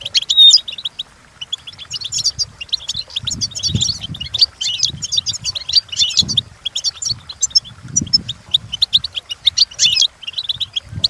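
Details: European goldfinch singing a long, busy twittering phrase of rapid chirps and trills, with soft low thumps and rumbles underneath.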